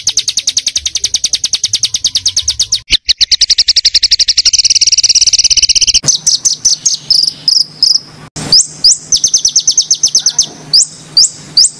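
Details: Small songbird in a masteran recording for pet-bird training, with tightly packed 'tembakan' song. A very fast, high, insect-like buzzing trill runs steadily, then breaks into separate sharp, upward-flicking notes spaced unevenly.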